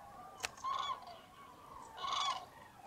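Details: At a massive common crane roost in Tablas de Daimiel National Park, Spain, on a frozen foggy January dawn, two loud harmonic trumpeting calls ring out about 1.5 seconds apart, preceded by a sharp click, over faint flock noise.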